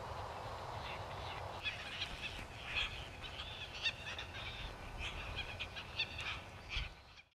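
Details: Red-tailed tropicbird at Midway Atoll on August 20, 1990: harsh, grating calls repeated in uneven bursts over a steady low background rumble.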